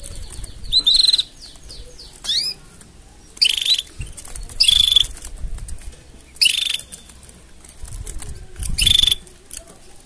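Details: Canary mating sounds: short, bright chirping bursts, each carrying a thin, steady whistled note, repeated about every one to two seconds over a low background hiss.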